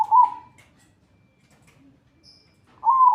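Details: Training song of a zebra dove, 'atas bawah' style: a short rolling coo opens, and a second warbled phrase follows almost three seconds later. Quiet background with a faint high tone.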